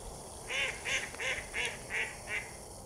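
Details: Mallards near a lake: a run of six loud, nasal quacks, about three per second, each even in length, over a soft steady background hiss.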